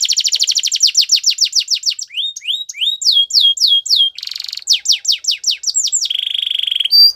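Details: Canary training song: a fast trill of descending notes, rising whistled slurs, looping falling phrases, a short buzzy burst, more downward sweeps, and a steady lower rolling tone near the end.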